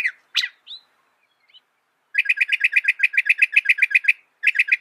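Northern mockingbird song: a few scattered chips, then a fast run of about seventeen identical harsh, chattering notes, roughly eight per second, followed by a shorter repeat burst.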